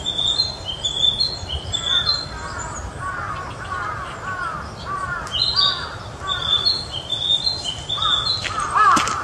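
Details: Young male narcissus flycatcher singing at Mizumoto Park on 1 May 2023, possibly the same bird seen two days earlier: clear, high whistled phrases about once a second, mixed with lower warbled notes, over a steady outdoor hum.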